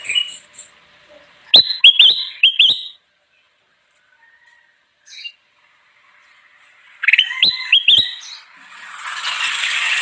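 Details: Kutilang emas bulbul singing a lively, gacor song meant for luring wild birds: bursts of sharp, rising chirped whistles around two and eight seconds, separated by quiet, with a hiss at the end.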